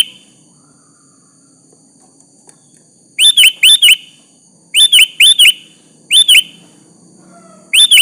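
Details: A sooty-headed bulbul sings to provoke a rival into answering; after three seconds of near quiet, bright whistled note groups of three arrive in quick succession, with a faint steady hum.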